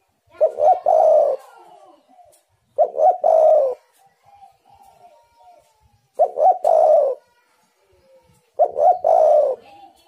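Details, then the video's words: Lure recording of a spotted dove to excite wild doves into calling: four cooing phrases spaced roughly two to three seconds apart, each a clipped double note then a drawn-out throaty coo, with soft fainter coos between. "tekukur super gacor burung Liar pasti emosi"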